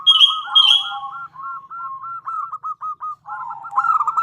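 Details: Female zebra dove, local bird, calling to the male: two sharp high whistles open a long chain of rapid stuttering coo notes that trill along, ending in a louder rolling burst.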